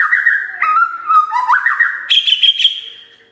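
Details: White-rumped shama singing, used to stimulate other birds to sing: rich continuous whistled song with sliding, wavering phrases that step between lower tones, ending on a sustained high whistle.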